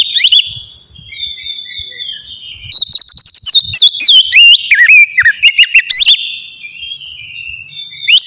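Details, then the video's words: Relaxed ngeplong song of an Oriental magpie-robin, played to provoke emotion and breeding urge in other birds. A soft, wavering whistle opens, then a loud burst of ringing whistles and clipped chirps in rapid succession, ending in a single rising note. "TERAPI AWAL KACER NGEPLONG SANTAI COCOK BUAT MANCING EMOSI DAN BIRAHI AGAR KACER CEPAT GACOR"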